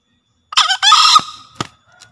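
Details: Green junglefowl from Java crowing, a recording meant to train fresh forest-caught birds and to lure wild ones. A choppy first syllable leads into a drawn-out raspy second part with a thin fading tail, then a crisp tap.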